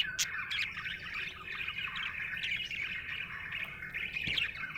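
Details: A happy budgerigar chatters in a continuous twittering warble, opening with a sharp high chirp, then rapid scratchy and whistled notes with a few clicks, over a faint low hum.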